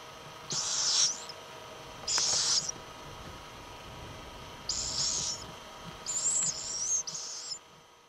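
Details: Little owl: four high, raspy hissing bursts at irregular intervals, the last one longer and wavering, set against a quiet, faintly humming background.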